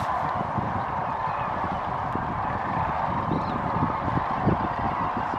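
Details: A big gathering of sandhill cranes pausing on their northward migration near Kearny, Nebraska, in late February; countless overlapping rolling calls merge into a steady, dense chorus, with a low background rumble beneath.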